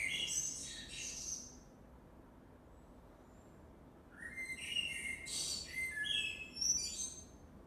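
A songbird delivers bright, high whistled phrases, then falls silent before a second, longer burst answers.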